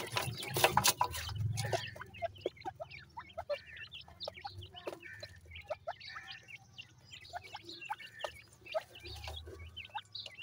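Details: Grey francolin chicks, called dakhni teetar, chirp in scattered short upward-and-downward peeps over a steady low hum, with a louder cluster at the start.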